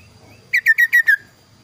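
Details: Clear, varied kaso-kaso bird song used as a master recording for training lazy or young birds: a burst of five crisp whistled notes, evenly spaced and ringing, then quiet.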